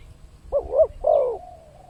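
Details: A single cooing phrase from a spotted dove, recorded as a lure sound to draw in wild birds: two quick soft coos, then a longer drawn-out falling coo, against a quiet low hum.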